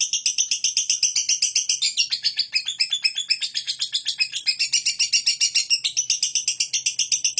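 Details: Caged lovebird singing a long ngekek: a fast stream of high, scratchy twittering notes, nearly four per second. The notes keep a fairly steady beat and show small shifts in tone along the sustained run.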